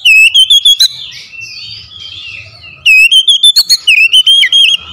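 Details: Oriental magpie-robin (kacer) song played to draw lazy magpie-robins into singing: a rapid run of clear whistled notes, a softer scratchy middle section, then another fast series of bright, repeated whistles.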